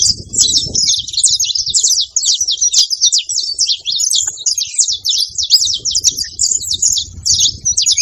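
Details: Saffron finch in rural surroundings giving a long run of quick high chirps and buzzy trills, steady and unbroken, faint low noise at times.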